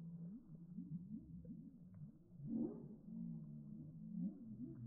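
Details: Slowed-down heritage turkey calls from a homestead flock, sounding like whale song: a run of low, wavering, looping tones that rise and fall several times per second, swelling into a louder moaning call midway.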